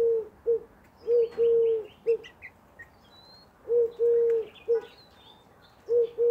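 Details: A Eurasian collared dove, nicknamed the woohoo bird, keeps calling without pause. It gives low, mellow coos in a steady short-long-short rhythm, with three phrases across the stretch. Soft distant bird twitters sound behind it.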